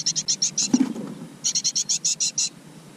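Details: Great tit with its chicks in a garden nest box: rapid runs of very high, thin chips, about eight per second, in two bursts with a short pause and a soft low thump between.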